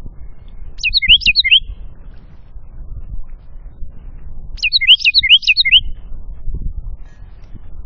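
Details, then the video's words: In the afternoon at a feeder beside woods and a creek in the Appalachian foothills northwest of Atlanta, Georgia (1,060 ft), a wren sings two short, high, tumbling bursts of quick sweeping notes about four seconds apart, over a low rumble. "Singing Wren"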